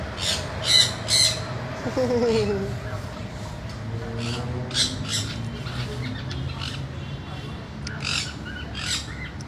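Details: A pet Sun Conure, described as very naughty, gives harsh, shrill squawks in short bursts, with a person talking quietly underneath.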